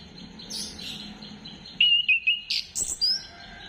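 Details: Orange-headed thrush song from a lure recording dated 15 December 2025: soft high notes at first, then a clear series of five or six loud whistled notes, some sliding upward.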